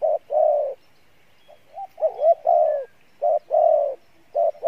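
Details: Cooing of a spotted dove in the Pha Bài Lối song style. Repeated low two-part phrases, a short note then a longer mellow coo, with one wavering, rising-and-falling phrase in the middle. Delivered steadily with short gaps.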